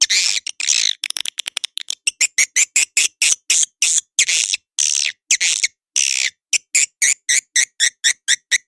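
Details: Edible-nest swiftlet call used to lure birds into swiftlet houses: steady series of short, sharp, high chattering notes roughly three to four per second, with a brief run of rapid clicks near the start.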